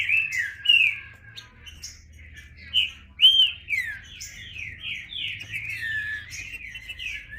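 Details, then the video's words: Green-winged saltator song: rich whistled notes swoop up and down in a running series, with a few louder accented whistles near the start and a low background hum. "Trinca Ferro (cantando)"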